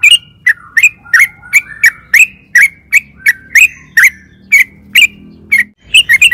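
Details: Sooty-headed bulbul in energetic song, played to make birds respond. Loud chirped notes are spaced about half a second apart, some doubled, with a quick flurry at the end.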